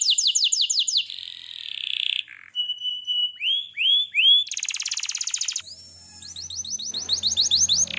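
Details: A canary sings fast descending trills, a buzzy tone and a short dip, then level whistles, rising swept notes, a dense rattle, and quick repeated upslurs. A faint low hum lies underneath the later part.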